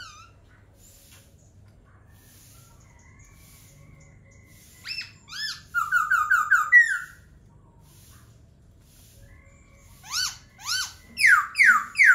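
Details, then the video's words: Laughingthrush song with a rapid rattling run of short repeated notes near six seconds, a rising slur, then a later burst of loud, evenly spaced descending whistles. "Khướu hót hay"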